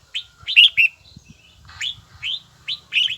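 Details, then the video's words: Red-whiskered bulbul in song training, uttering clear rising and falling whistled notes in a brisk, slightly uneven sequence, with soft low rustling beneath. "Chào mào luyện giọng hay nhất ||Nghe mãi không chán|| Tông giọng chuông đều chuẩn đúng nhịpnhất"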